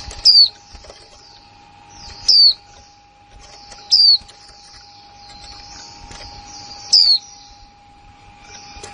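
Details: A new female white-eye calls in a plain 'kick' style. Sharp, high, downward-sliding whistled notes come at uneven intervals of about two seconds, with soft high twittering and a constant electrical hum behind.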